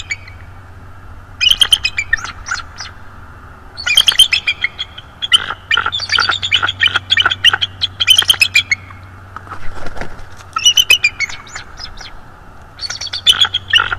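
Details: Bald eagle, a subadult of roughly 3–4 years spending time in a nest and branches above, December 2022, gives repeated bouts of high, squealing chatter, long runs of quick piping notes broken by short pauses.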